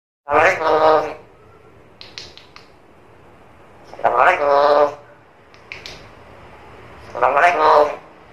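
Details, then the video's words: A talking black-capped lory (Lorius, Papuan lory) in a quiet room gives three voice-like phrases, each about a second long, roughly three seconds apart, with soft clicks between them. "NURI KEPALA HITAM GACOR BISA NGOMONG SUPER CEREWET"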